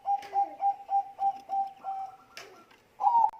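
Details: Lure song of a Bangkok-type zebra dove to provoke other doves: a regular series of short cooing notes roughly three per second, slowing into a drawn note, a click, then a louder closing coo.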